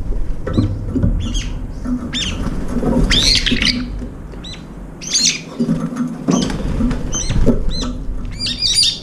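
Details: Two or three brown-eared bulbuls gathering around a food bowl at a window feeder; harsh, squawking, upward-bent shrieks in bursts separated by short pauses, with steady low-pitched background rumble.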